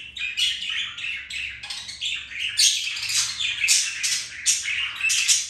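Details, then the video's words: Two pet budgies flirting and playing, producing continuous buzzy warbling chatter with sharp squeaky chirps and rapid scratchy notes. "Budgies mating , flirting and playing"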